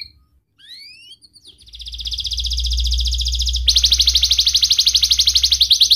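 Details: Singing young canary with a sharp voice, intended to teach juvenile canaries to sing and to rouse lazy ones: a few upslurred whistles lead into a long, fast, buzzy trill that shifts to an even brighter rattle, with a low hum behind.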